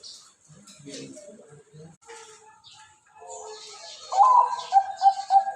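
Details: Male zebra dove, one year old, ringed from Bogor, singing in the crystal cowong voice style: human speech and faint rustling first, then clear, ringing coos repeated rapidly in the final seconds.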